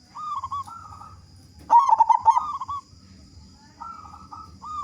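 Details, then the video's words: Zebra dove of the local type with a big voice, singing to prompt other doves: gentle hooked coo phrases on either side of a single loud, rapid, stuttering coo burst near the middle. "Perkutut Lokal Gacor Suara Besar Pancingan Burung Perkutut Agar Cepat Bunyi"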